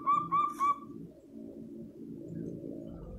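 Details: Local zebra dove in loud, booming full song, calling to prompt other doves to answer. Three short, clear cooing notes given in quick succession in the first second, followed by steady low rumbling background noise.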